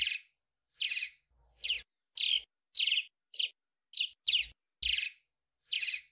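A swallow gives bursts of bright, chattering twitters, about ten short phrases in six seconds at an uneven pace, over a faint steady high whine.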